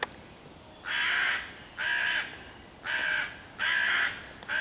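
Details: Hooded crow in a neighbourhood, 11 June 2023, loudly cawing to harass five young raccoons on a tree and call other crows to attack; harsh broadband caws, five in quick succession about a second apart, some cut off.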